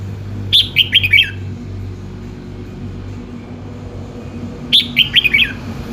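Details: Red-whiskered bulbul singing: two short bright phrases of four or five quick whistled notes, dropping slightly in pitch, about four seconds apart, over a low steady background rumble.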